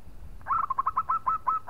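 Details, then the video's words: Local zebra dove, a strong singer calling to provoke a rival into answering: a quick run of about nine short cooing notes, each with a rising hook, held at one pitch over faint low background rumble. "PERKUTUT LOKAL GAJOR JAGO MEMANCING LAWAN BUNYI"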